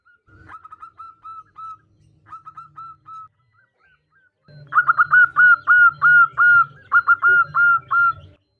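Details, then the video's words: [1, 'Female zebra dove calling the male: a soft run of short cooing notes, a pause, then a louder fast series of hooked, rolling coos repeated about three times a second.'] "Perkutut Betina memanggil jantan"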